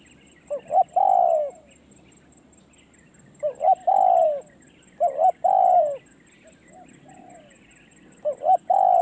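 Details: A spotted dove used for luring wild doves repeats a cooing phrase: two short notes and one longer descending coo, about four times over nine seconds. A constant high insect whine and faint twitters carry on behind it.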